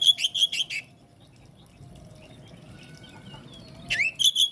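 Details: Singing Oriental magpie-robin meant to trigger responses from others: a rapid run of chirpy whistled notes, a quiet gap with faint thin tones, then a rising slur and more quick chirps.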